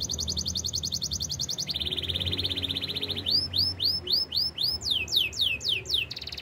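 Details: Singing canary in the wild: a high rattling trill, a lower rolling trill, then loud upswept whistles given about four per second and ending in a brief trill.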